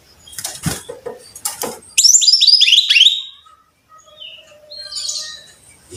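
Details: Brown-chested jungle flycatcher song as tutor recording for caged birds: rustling and knocking first, then a loud descending cascade of about five clear whistled notes, followed by quieter thin whistles.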